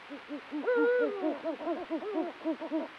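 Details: Mating Eurasian eagle-owls during breeding season on a full-moon night: a fast, steady run of short arched notes, about four to five per second, overlaid by a drawn-out harmonic call that holds steady, then drops.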